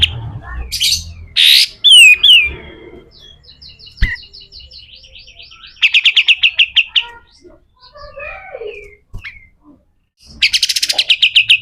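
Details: A pied triller sings its rough 'besetan kasar' song, meant as tutoring material for other birds: harsh bursts and sliding whistles, a long thin note, a fast rattle of chirps, scattered short twitters and a closing rattle.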